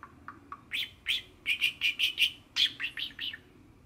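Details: Pet male budgerigar, six years old, singing from its owner's hand beside the kitchen sink; a clear run of bright, high chirps, short rising-and-falling notes repeated in quick succession, loudest in the middle, against a quiet indoor background.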